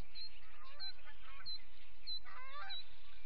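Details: Ospreys of a Montana family at the Charlo nest, recorded by a live nest camera on a September morning, 7 September 2016: sharp, high, repeated chirping calls, about six in three seconds, over a constant hiss.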